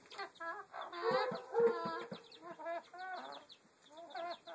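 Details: Chicken making strange vocalizations: loud, dense clusters of harmonic clucks around the first two seconds, then quieter, spaced-out clucking phrases repeated roughly twice a second.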